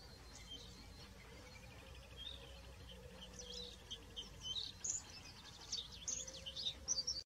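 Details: Bluethroat from the UK: after a quiet, noisy start, a rapid jumble of high, sharp chips and twittering notes builds over the second half, with a low steady hum underneath.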